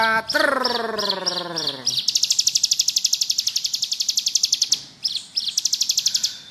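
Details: Bar-winged prinia in ngebrem song, for tutoring: chirped high notes over a loud descending harmonic whine, then a long steady, rapidly pulsed high trill broken by short chirps.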